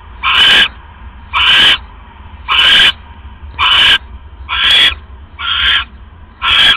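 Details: Owl at a nest on 5 October 2015 around 3:40 AM as the male brings another rat and the female casts a pellet. Harsh, hissing rasps arrive roughly once a second, seven bursts in a fairly steady series over low background hum.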